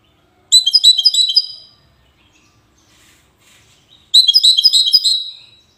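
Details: European goldfinch of the wedani type, Safi, Morocco, singing two crisp bouts of rapid tinkling, chattering notes with a slight buzzy edge, each about a second long, separated by a quiet gap of roughly two and a half seconds.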